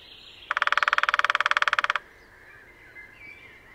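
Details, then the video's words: Lesser Spotted Woodpecker drumming in display early on a sunny morning at Sandemar Reserve, Sweden, one of a pair on territory, recorded with a parabolic microphone: a single rapid, even roll of about twenty sharp knocks lasting roughly one and a half seconds, faint birdsong behind. "Display of Lesser Spotted Woodpecker at Sandemar Reserve, Sweden."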